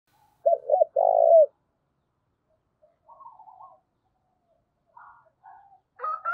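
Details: Spotted dove (cu gáy) used as a decoy, calling to provoke and train rival wild-caught doves. Two loud, mid-pitched coo notes come near the start. Faint, broken warbling notes and a brief higher whistled note follow.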